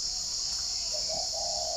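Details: Morning in Ba Vì, Hanoi, near forest: a caged spotted dove replying to a far-off wild bird gives soft, low coos, a brief note then a longer sustained one, against constant high-pitched hiss.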